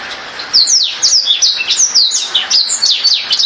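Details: Brief burst of Black-throated canary song: after a quiet half-second, a quick series of bright, sharply dropping whistled notes and chirps follows at a steady, rapid pace.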